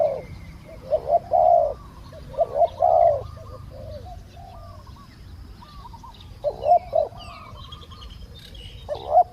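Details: Spotted dove calling as a decoy to lure a wild dove with a small voice, which took long to come down; two bursts of low, hollow, rolling coos with quiet gaps between them, faint higher chirps in the background.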